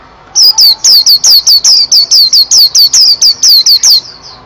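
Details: White-eye, called pleci, singing: a fast, loud series of very high, thin chirps, each one dipping, repeated steadily more than twice a second throughout.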